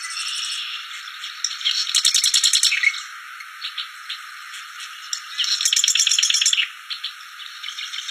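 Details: Wild bar-winged prinia singing: two loud bursts of rapid, sharp, pulsed chips, high and buzzy, each lasting about a second, with softer scattered chirps between them.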